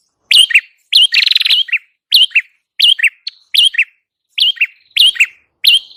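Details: Prinia with a red head, recorded as a lure: rapid series of about nine lively high chirps, each a quick two-part note, repeated roughly every half second, one phrase breaking into a fast buzzy trill.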